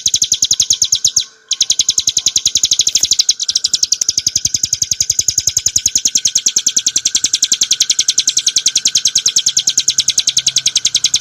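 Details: Bar-winged prinia singing a long 'ngebren nembak' sequence for tutoring cage birds: fast, ringing high chips in an almost unbroken stream, with two short breaks early on.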